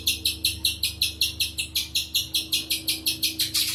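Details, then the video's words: Spiderhunter giving a fast series of sharp, high, buzzy chips, about two and a half per second, each note slightly falling; a steady low hum runs underneath. "Burung pijantung besar"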